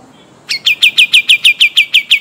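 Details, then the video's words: Pied triller, a bird from Kalimantan kept for rolling song, gives a fast series of about ten sharp, downslurred chirps, evenly spaced roughly six per second, after a brief quiet start; no other sounds. "Masteran Burung Kapas Tembak Gacor Ngeroll Panjang"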